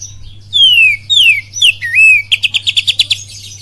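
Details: Caged oriental magpie-robin giving a lure song full of kapas tembak phrasing. Several strong descending whistles and a wavy whistled note lead into a rapid burst of about eight sharp repeated notes, with a constant low hum behind.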